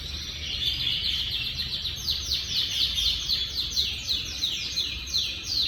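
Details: Timbrado canary singing, recorded 25 August 2025: high, continuous rolling trills made of fast falling notes, repeated in steady waves without pause, over a faint low background hiss.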